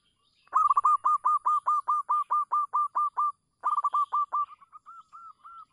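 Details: Local zebra dove call used as a lure to prompt silent doves to call: a quick run of about a dozen staccato, even-pitched coos, a brief pause, then a faster burst fading into softer, spaced notes.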